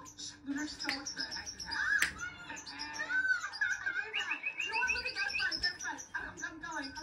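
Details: A hand-tame European goldfinch sings a fast, liquid twittering of bright tinkling notes and short buzzy trills, with a low voice murmuring in a small room.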